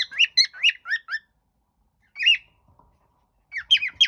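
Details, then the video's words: A pet cockatiel gives a quick run of five slurred, slightly harsh whistled notes, then a single note after a silence, and a final squeaky flurry. "my cocktail bird whistle sound Cockatiel"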